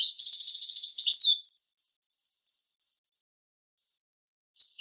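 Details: European goldfinch, approved teaching song style: a rapid, even, tinkling trill lasting over a second and ending in a downward slur, followed by quiet and one brief chirp at the end.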